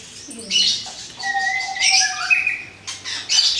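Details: Orange-headed thrush, a caged bird just after moulting, sings a varied phrase. Whistled notes slide and hold at mid pitch, broken by high buzzy bursts and sharp chips, with short pauses between phrases.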